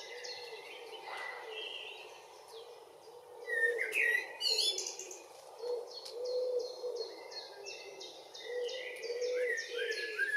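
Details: Common blackbird singing at dusk in June in northwest Zealand, Denmark: loud mellow whistled phrases with squeaky twittering ends, mixed with another bird's fast series of thin high descending notes and a faint low cooing-like drone.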